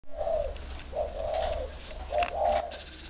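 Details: Spotted doves kept in an aviary in Ba Vì, Hanoi, northern Vietnam, give soft mellow coos, three low hollow notes roughly once a second, with faint higher chirps and room noise behind.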